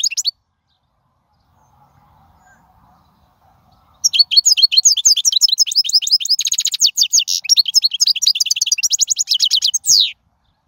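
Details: European goldfinch song from the wild, meant to teach young birds: one brief note, a silent gap, then six seconds of rapid, continuous high twittering with trills and a closing downslurred note.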